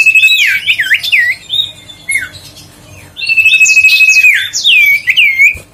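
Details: Huyt co bird song, played to lure birds and spur lazy singers: loud looping whistles and a long level trilled note, a brief quieter pause in the middle, then another run of swooping, rising and falling notes.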